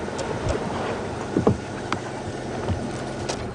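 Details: Rumbling vehicle with wind buffeting and a few knocks and clatters, with no animal calls.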